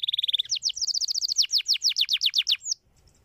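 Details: Canary song to get other canaries singing, a quick rolling trill flowing into a series of loud, sweeping down-slurred notes, ending with a brief rising whistle.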